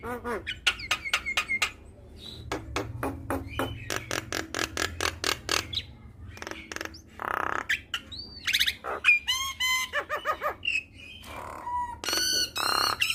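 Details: Javan myna singing a full varied song, used as a training recording to prompt other mynas to sing: loud harsh squawks, rapid repeated clicking notes, rising whistles and rattling buzzy bursts in irregular sequence.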